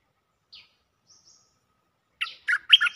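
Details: Cream-vented bulbul mate call from a looping lure track. A faint falling squeak and a soft high whistle come first, then the opening of a loud, chattering burst of warbled notes.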